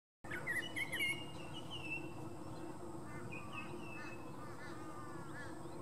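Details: Striped honeyeater at Oxley, Queensland, giving quick, bright whistled notes that rise and slur, then softer quavering phrases, over a steady low rumble and a thin high hiss.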